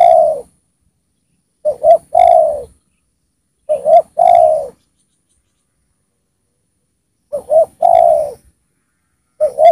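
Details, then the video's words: Well-singing spotted dove kept as a lure for wild spotted doves, giving low hollow coo phrases, a brief double note then a longer descending coo, with a long pause mid-clip. "Pikat Tekukur Gacor di Turunin Tekukur Liar"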